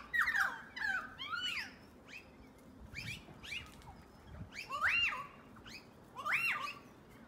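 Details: Noisy miners (Manorina melanocephala) chatter in a loose group before dark, giving harsh, rising-and-falling chirps and squeaky notes in bursts every second or so, with louder peaks near the end.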